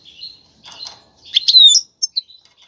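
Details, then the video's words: Short passage from a caged male European goldfinch singing to arouse a female for mating; soft buzzy notes, then a louder slurred twitter and two brief chips. "مقنين يغرد بقوة💪, سوف يجبر انثى الحسون🐦 على التزاوج👫"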